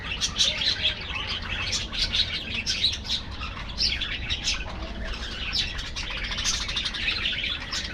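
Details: Budgerigar colony in an aviary: dense, overlapping high chirps and warbled twitters from many birds, continuous with no pauses, with a faint low background hum.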